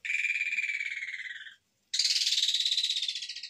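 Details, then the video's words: Asian pied starling in full song, delivering long harsh bursts: a rapid buzzy rasp of tight pulses that slowly falls in pitch over about one and a half seconds, a short pause, then a louder, broader grating burst. "JALAK SUREN GACOR FULL ISIAN TEMBAKAN KASAR PANJANG PANJANG"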